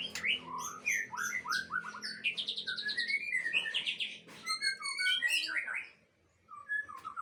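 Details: Aceh white-rumped shama from a breeding aviary delivering rich, rapid song: sweeping whistles, quick descending trills and stuttered chips, pausing briefly near the end before resuming with soft whistled notes.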